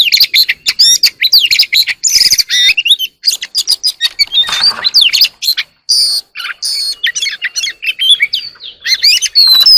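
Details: An Oriental magpie-robin singing early in the morning gives a loud, rich stream of varied whistles, slurred phrases and quick chattering notes, almost without a pause, all high-pitched and clear.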